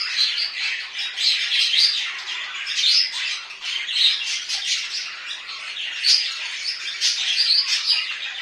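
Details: Domestic budgerigars squawk and warble in a busy, scratchy stream of chirps and buzzy notes, with louder bursts scattered through and brief dips in between.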